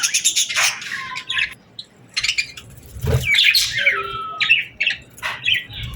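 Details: Birds singing at summer sunset: quick rattling chirps followed by clear whistled notes, including a falling whistle and short rising slurs, with pauses between bursts and a soft thud midway.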